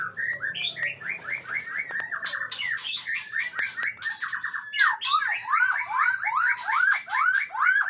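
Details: Aceh white-rumped shama singing a fast string of short slurred whistles, about two a second, broken by bursts of harsh rattling notes before quicker looping whistled phrases.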